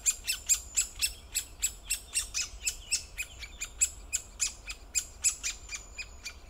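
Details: Great spotted woodpecker giving a fast series of sharp, clicking, high-pitched calls, about three to four per second in an uneven rhythm, with a faint high thin whistle in the background.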